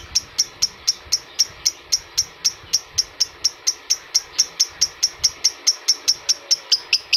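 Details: Adult lovebird chirping played to stimulate lovebirds: a long, regular series of piercing short notes, roughly four per second, over light background hiss.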